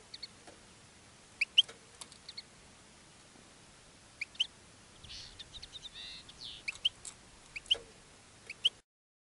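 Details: Caged European goldfinch singing to attract other goldfinches: sparse bright chirps and short high twitters spread over the recording, with a brief buzzy harmonic phrase in the middle and quiet background hum.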